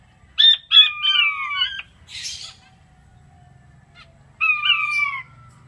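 King quail giving high, piping whistles that slide downward in two short bursts a few seconds apart, with a brief scratchy rustle between them.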